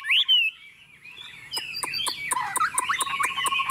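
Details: Tame Chinese hwamei set on a table: a short rising whistled note, a pause, then rapid sharp clicking ticks mixed with warbled, wavering whistles toward the end.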